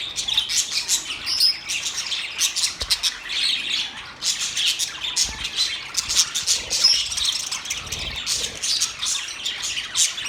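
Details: Several budgerigars singing and chirping together: a dense, continuous warbling chatter of high squeaks and short squawks with no clear pattern, steady throughout.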